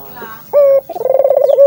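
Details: Brief Barbary dove call, played to start doves cooing. A short steady note is followed by a quickening rolled trill that runs into a held tone.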